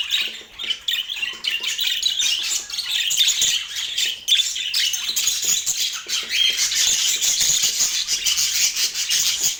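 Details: Pet budgies in Portland keep up a grating, high-pitched chatter of harsh squawks and clicking chirps, fairly even in loudness throughout.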